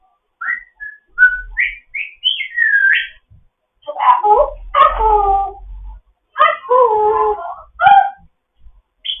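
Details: Morning chat from a foster African grey parrot: a string of rising and falling whistles, then nasal, harmonic, speech-like squawks and warbles, with low thumping noise underneath.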